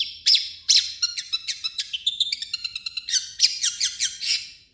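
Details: Long-tailed shrike singing its own notes mixed with imitations of other birds: a rapid run of sharp, high chirps and short whistled notes, some dropping in pitch, with clipped trills, repeated several times a second.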